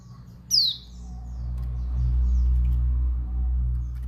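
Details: A single bright downslurred chirp from a female Dakun Bali white-eye, a call said to make males agitated and excited, followed by faint high notes while a low rumbling noise builds.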